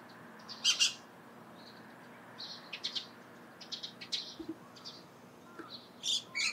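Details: Dusky Thrush calling near Lake Hamana by the Kanzanji hot spring area, Japan: short, sharp high chirps in scattered bursts, some doubled, with quiet gaps between over a soft outdoor hum.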